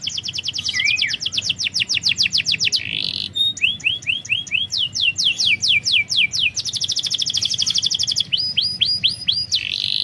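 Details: Lure recording of canary song for coaxing quiet or young birds: rolling fast trills, sharp swooping whistles and buzzy bursts alternate continuously at a high pitch.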